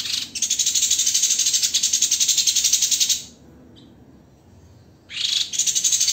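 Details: White-rumped shama master song for training songbirds: a long, harsh, buzzy high rattle pulsing rapidly for about three seconds, a quiet gap, then the rattle starts again.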